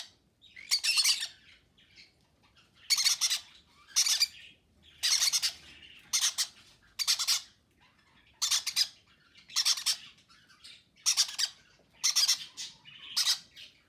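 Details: Conure chicks fed by both parents, February 6: bursts of rough, grating squawks roughly once a second, each a tight cluster of raspy pulses, separated by short quiet gaps.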